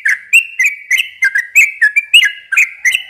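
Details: A long chattering song from a yellow-vented bulbul, meant as a lure for young birds. Quick bubbly, warbled notes follow one another in a brisk, slightly uneven rhythm with no other sounds.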